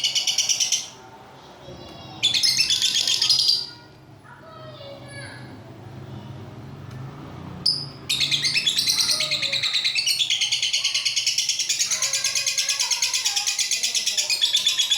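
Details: Lovebird ngekek of long duration: bursts of harsh rapid chatter broken by quiet gaps with softer twittering, then a sustained high pulsing trill running unbroken for about seven seconds.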